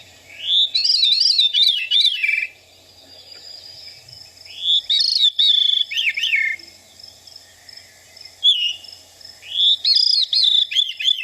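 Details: Veery song, a bird of lush mid-level understory in wet forest near streams in Pennsylvania: airy, reverberating phrases spiraling downward, repeated three times, with a short slurred 'veer' call between them.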